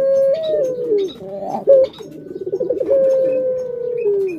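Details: Kept collared dove cooing indoors: a long steady coo that slides downward, a short sharp accented note, then a trembling pulsed roll leading into another long drawn-out coo that fades lower.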